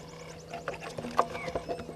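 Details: Two Burchell's starlings fighting at Gowrie dam waterhole, Djuma Game Reserve, Sabi Sand Wildtuin, South Africa, 20 October 2022 at 16:39; harsh, irregular chattering bursts and scuffling notes, with faint high twittering and a steady low hum behind.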